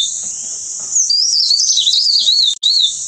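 A wren-babbler gives a high, thin warbling phrase of quick wavering whistles, cut by a brief gap, over a steady insect-like hiss.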